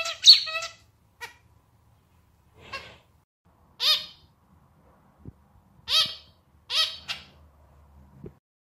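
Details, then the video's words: Zebra finch male with a rhythmic, slightly out-of-tune, clarinet-like song: spaced nasal honking notes with stacked harmonics, delivered singly or in quick pairs with short pauses between. "Canto do Diamante Mandarim (estilo clarinete)"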